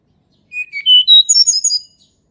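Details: Sunda robin song from the wild, used to coax reluctant birds into song: low whistled notes climbing steadily into a quick flurry of high, bright twittering notes.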